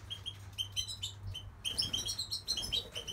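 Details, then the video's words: Goldfinch song: rapid liquid twitters and chiming notes that pause briefly and then burst into a denser tinkling run, with a low electrical hum in the background. "Goldfinch singing"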